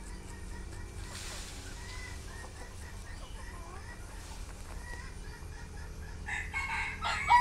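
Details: Young red junglefowl hens dust-bathing contentedly in soil; soft, short clucks repeat throughout, several bending or rising in pitch, over a low steady background hum, ending in a louder burst of rustling noise.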